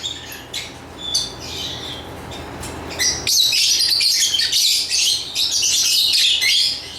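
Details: Lovebird giving a few spaced, thin chirps at first, then breaking into continuous loud, shrill chattering of rapid high-pitched notes that runs to the end.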